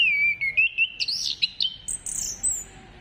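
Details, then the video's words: Orange-headed thrush song meant to trigger singing in other birds: a clear descending whistle that wavers, followed by rich warbled phrases and thin very high whistled notes. "Gacorkan Burung Anis Kembang Dengan Pancingan Suara Ini"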